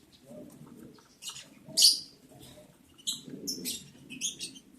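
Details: Lovebirds at day 11 of breeding, recorded 11 July 2022 during mating. Thin high chirps and a louder shrill squeak rise over a soft low rustling murmur, ending in a quick series of short piercing notes.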